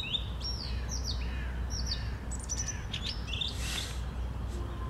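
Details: Song thrush song on Sunday morning, 11 April 2021: a quick run of varied high, sliding and squeaky notes, some short and clipped, heard over constant low-pitched background hum.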